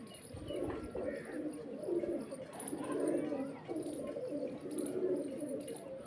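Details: Several pigeons, mostly males with four or five females, give low, rolling coos in overlapping bursts, a soft continuous murmur with faint higher chirps.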